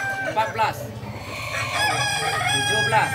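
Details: Balenggek chicken crowing contest, landiak class, Sunday at Ampang Kualo, Solok city: short bursts of stepped, arching crow notes from overlapping roosters above a steady low rumble.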